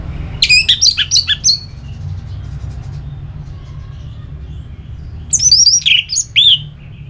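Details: Orange-headed thrush in ngeplong song, used to spur another bird to sing. A rapid run of sharp, varied whistles opens, followed after a pause by a second tumbling phrase of slurred notes.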